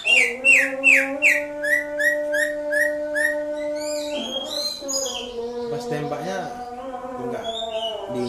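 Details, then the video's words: Greater green leafbird from Indonesia in ngatrok style, giving a quick series of falling whistled notes that soften and drop lower over three seconds, over a steady layered humming drone, followed by mixed warbling and background sounds. "Cucak ijo Indonesia ngatrok"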